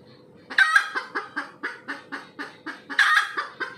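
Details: Red junglefowl having just laid an egg: two loud raspy squawks bracketing an evenly spaced run of about eight clucks, with faint low hum.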